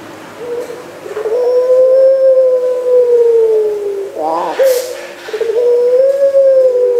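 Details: Barbary dove of the puter pelung long-cooing type, recorded 3 March 2020: two drawn-out, smooth low coos, each swelling slightly then sinking, separated by a brief rough, breathy break in the middle.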